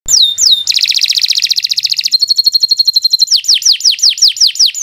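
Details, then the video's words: Canary song recorded for training young birds: a clear up-slurred whistle, then a fast buzzy trill, a level repeated note series, and a run of descending sweeping whistles repeated several times per second. "Kicau Burung Kenari 101 II GACOR PANJANG Cocok untuk Masteran"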